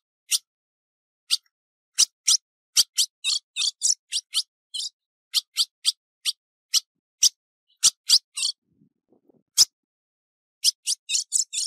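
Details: A female ultramarine grosbeak, recorded 15 June 2019, calls with sharp, high, metallic chips, singly and in quick bursts of two to four, at an uneven pace with no other sounds.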